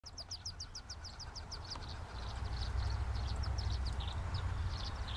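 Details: Wood duck ducklings jumping from their nest box for the first time as their mother guides them to the river give high, thin peeps, three or four a second, over a steady low rumble of wind or distant traffic.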